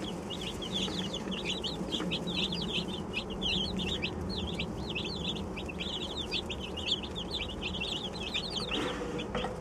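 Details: Brand-new baby chicks, 27 of them on their first day, peeping nonstop: rapid bright chirps packed closely together in an unbroken stream, with a constant low droning hum beneath.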